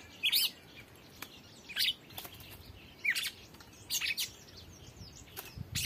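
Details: Red-cowled cardinal giving short, sharp, high chirped notes in irregular bursts, roughly eight over six seconds, some doubled, over a low steady background hiss.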